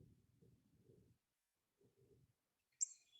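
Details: A Northern Cardinal gives its 'tink' call note, one sharp, loud, metallic chip near the end, after quiet human speech.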